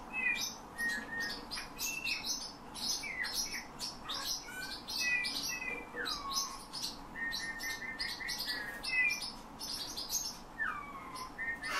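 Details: Captive Eurasian bullfinch trained by its keeper to sing, copying his whistled phrases and borrowing phrases from nightingales and thrushes: a run of clear piping whistles, some slurring downward, a rapid string of short even notes, threaded with faint clicky high chatter.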